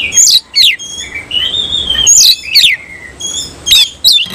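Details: Semi-cililin style oriental magpie-robin singing hard with tail fanned: sharp descending whistled sweeps alternate with long, drawn-out level whistles, phrases coming every second or so in a loud, high, clear delivery.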